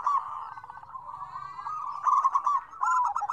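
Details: Zebra doves in a busy mixed chorus, used as a lure to start doves that seldom call; dense overlapping trilled cooing with faint higher notes, growing stronger toward the end.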